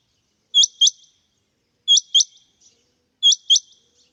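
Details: Calling male rain quail gives three evenly spaced pairs of bright, high-pitched clipped notes, each pair a quick double 'whit-whit' with silence between.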